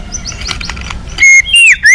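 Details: A provoked white-rumped shama, its song meant to make other shamas answer, gives three clear whistled notes after a faint start: a level whistle, a longer falling one, and a short rising one.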